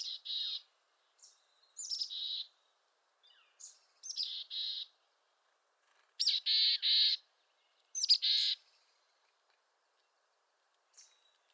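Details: Mountain chickadee of western North America calling repeatedly at moderate distance, several phrases of sharp high introductory notes, each followed by two or three hoarse, buzzy dee notes, with faint scattered chips in between.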